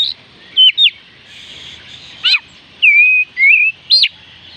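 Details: Oriental magpie-robin song used to encourage a bird that is slow to sing: paired sharp whistled sweeps, a descending trill-like phrase, then two long wavering whistles and a final bright upswept note.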